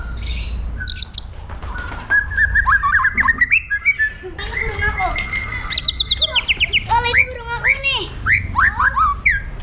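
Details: White-rumped shama aggressive song used for training other birds, varied loud whistles, harsh chattering and rapid rising and falling phrases, some sliding notes, with background noise and a low hum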